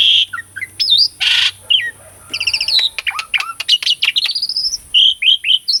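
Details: Energetic Asian pied starling song used to stimulate silent birds to sing; harsh squawks lead into a long rapid series of sharp chips, buzzes and rising and falling whistles.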